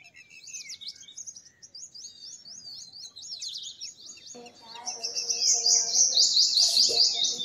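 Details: Purple sunbird giving a run of quick, slurred high chirps that builds into a loud, ringing trill of rapidly repeated notes near the end.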